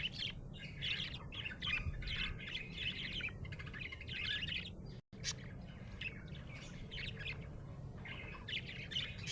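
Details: Happy budgerigar chattering steadily, a busy stream of short high chirps and twittering warbles running through the whole stretch, broken by one brief silent gap midway, over a low constant background hum.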